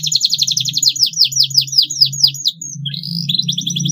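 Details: Canary singing at length as a lure to teach young birds their song: a rapid series of sharp, down-slurred whistled notes rattled off in a steady trill, a brief pause, then bright repeated chirps, with a steady low hum beneath.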